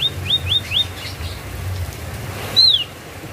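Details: Javan white-eye from Java, giving short clear whistled notes that rise and fall around a high pitch, four quick slurred phrases followed after a pause by one longer down-slurred whistle; faint low hum beneath.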